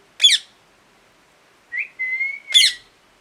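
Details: Parrot calling: a short harsh screech, a pause, then a brief upslurred whistle, a longer steady whistled note and a second raspy screech overlapping its end.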